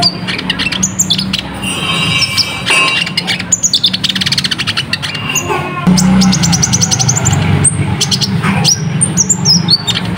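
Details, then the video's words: Busy ruby-cheeked sunbird song played as training material for caged birds: rapid high chirps, sharp twittering bursts and quick rattling trills run almost continuously, with a low background hum. "Masteran Rapet Burung Konin Gacor"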